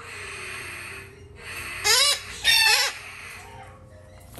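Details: Male red-shouldered macaw chick in a shop, hand-fed three times daily; two loud harsh squawks in quick succession about half a second apart, with quiet room noise around them.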